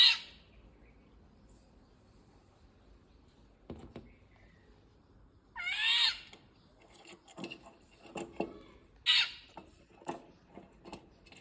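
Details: Indian golden oriole calling three times over about eleven seconds: harsh, nasal, cat-like squawks, each about half a second, separated by quiet gaps with scattered clicks and knocks.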